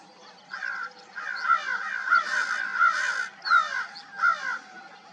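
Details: Dawn crows cawing in a steady string of about seven raspy, nasal caws, some overlapping as several birds call together, with a brief higher bird note in the background.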